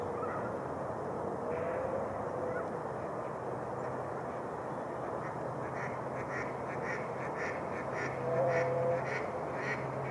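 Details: Mallard flocks on a Minnesota lake where ice has melted near shore in spring; after a quieter start, a rapid run of quacks builds over steady broad noise with a low hum.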